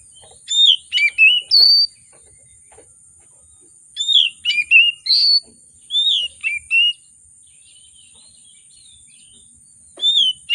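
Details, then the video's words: Oriental magpie-robin (kacer) in lively, emotional song with varied fill, aimed at goading reluctant birds to sing. Four phrases of quick, looping high whistles and slurs, each of several notes, separated by short silences over a constant thin whine. "Kacer Gacor, Kacer Emosi Memancing Kacer Sulit Bunyi, Kacer Isian Mewah"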